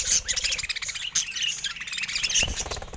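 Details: Caged budgerigars, with natural surroundings, attacking a camera: dense high chirps and scratchy warbling chatter run throughout, with a few sharp clicks and a brief thump near the middle.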